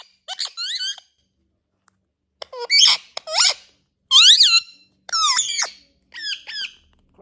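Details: Talking and natural sounds of Indian ringneck parrots: loud bursts of harsh, rising and falling screechy syllables, some speech-like, grouped in short phrases with brief pauses between, recorded indoors.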